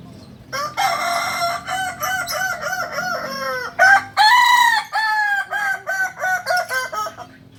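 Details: Multi-tiered crowing from a Kokok Balenggek chicken of Solok, West Sumatra, a breed prized for crows reaching up to 19 levels; two long crows, each breaking into a chain of a dozen short, evenly stepped syllables.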